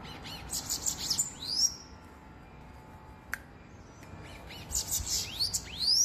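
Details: Loose bananaquit fighting with a person's hand: bursts of very high, thin chirps with quick rising sweeps, one sequence near the start and another near the end, separated by a quiet gap with a single sharp click.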